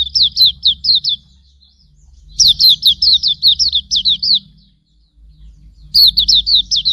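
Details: Tutor song of Hume's white-eye (auriventer): three separate bursts of rapid, high, sliding chirps, each run lasting one to two seconds, over low background rumble.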